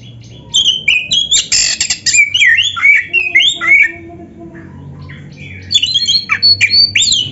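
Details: Oriental magpie-robin in full song, played to rouse other magpie-robins into singing: rich sequence of loud whistled and chattering phrases, sliding notes and harsh bursts, a pause, then a fresh run of bright high whistles.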